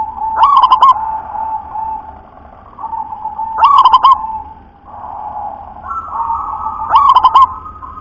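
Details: Local-strain zebra dove singing a thick, deep song: three soft cooing phrases, each a rising note then a quick run of rolling, stuttered coos, repeated about every three seconds over a steady droning tone and low hum.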